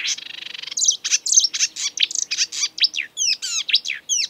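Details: Energetic marsh warbler song from the breeding season, full of borrowed European and African sounds: a quick buzzy rattle, then a lively string of varied chirps and downslurred whistles.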